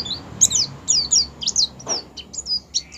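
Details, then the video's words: White-eye song in the 'ngerol' and 'ngalas' style, meant as a lure for other white-eyes: a short burst of very high, sharp, downslurred chirps in quick succession over a soft background hiss. "pleci ngerol sambung ngalas AMPUH buat pancingan pleci agar pleci buka paruh."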